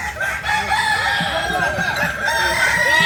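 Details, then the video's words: Kukuak Balenggek rooster, a native chicken breed of Solok, West Sumatra, crowing. Layered, harmonic crow notes stack and waver through a noisy background, with scattered low clucks and faint voices beneath. "Ayam kukuak balenggek ayam asli solok sumbar"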